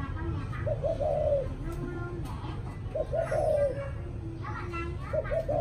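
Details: Spotted dove in the evening giving its coo three times, about two seconds apart, each a pair of short low notes and then a drawn-out mellow coo, with quiet human voices behind.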